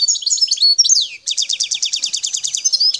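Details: Song of a wild Algerian European goldfinch recorded at Bouteldja, El Tarf. Bright jumbled twitters and a swooping downward note lead into a long, rapid, metallic trill of evenly repeated notes.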